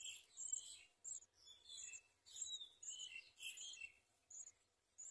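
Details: House sparrow bringing caterpillars to its chicks, heard in a busy run of bright, high chirps and twitters at mixed pitches, some sweeping down, repeated every half second or so over faint background noise.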